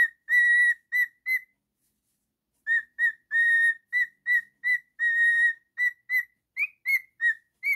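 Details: A pet male cockatiel singing and whistling mixes long held level whistles with quick short notes, pausing once for over a second before resuming, with some notes rising at the end.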